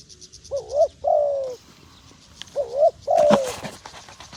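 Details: Two cooing phrases from a wild dove, each a wavering low note then a longer descending coo, with faint insects behind and a sharp knock near the end.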